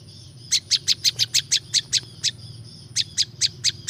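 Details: Prinia (prinjak lumut) sound used to lure wild birds: two quick series of sharp, high, ticking chirps, about ten then five notes, separated by a brief pause, soft low drone underneath.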